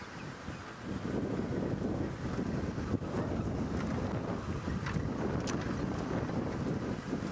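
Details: Strong wind buffets the microphone over a continuous low rumble during a sunrise drive, with no animal calls.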